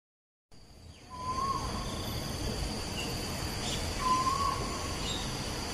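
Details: Asian koel singing at Bukit Batok East, opposite Bukit Batok nature park, 14 September 2021: two clear rising whistled notes about three seconds apart over steady background hiss.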